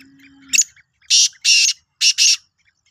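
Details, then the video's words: Sindhi black francolin, March 2023, giving a rasping phrase: a brief clipped note followed by two long buzzy bursts and a closing pair, loud and dry, with a faint low hum at the start. "Kala Teetar ki Awaz"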